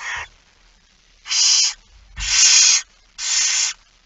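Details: Barn owl begging at feeding, early morning 06:57, 13 September 2019, Netherlands: a run of loud breathy hissing screeches, each about half a second, plus low bumping sounds at the nest.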